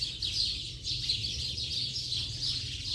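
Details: A late-afternoon house sparrow flock gives rapid, overlapping chirps in a dense, lively chatter over a low background hum.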